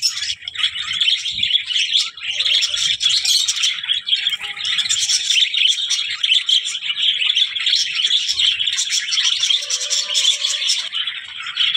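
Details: Budgerigars keeping up a dense, unbroken stream of buzzy chirps and warbles, steady in loudness, with faint low thumps underneath.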